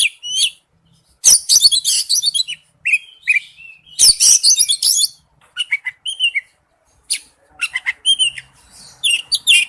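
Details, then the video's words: Wild-type forest-voice singing by an Oriental magpie-robin: dense, scratchy, buzzy outbursts alternating with sweeter whistled phrases and scattered clear slurred notes, energetic and varied throughout. "Chim chích chòe than hót giọng rừng"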